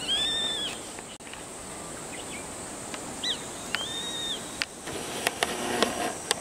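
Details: Grey-faced buzzard on the Yamazaki trail, Uonuma, Niigata, Japan, 9 July 2022, gives two high drawn-out whistles that rise then fall, about 3.5 seconds apart, over steady hiss with scattered clicks and taps.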